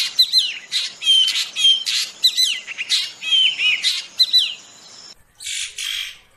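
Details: Drongo rolling song for training songbirds: a dense, fast stream of twisting whistles, buzzy slurs and chattering notes with almost no pause, then a short gap and a harsher burst.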